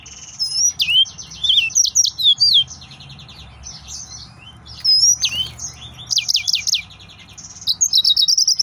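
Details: Song of an excited male yellow-fronted canary: a near-continuous flow of shrill whistled slurs, rapid repeated trill notes and brief buzzy passages, with barely any pauses.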